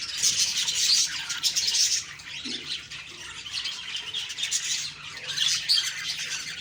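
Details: Budgerigars chirping on the morning of October 2, 2023: a dense, continuous wash of high, scratchy chirps and squawks from several birds at once, rising and falling in loudness with no pauses.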